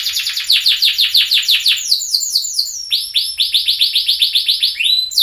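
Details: Caged loper canary of orange 'sunkist' colour, a master song for training: quick runs of descending sweeping notes, then a rolling trill of repeated upswept notes, ending with a higher accent.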